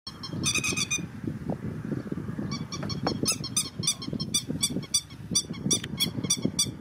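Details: Grey-headed lapwing recorded on 6 July 2019: a burst of sharp, harmonic-rich calls near the start, then a fast series of clipped, piercing notes repeated roughly three times a second, over a steady low rumble.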